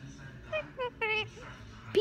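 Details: A 3-year-old Indian ringneck parakeet learning new words utters a few short, clipped, voice-like syllables with rising and falling pitch, ending in a sharp high squeak, over a quiet room hum.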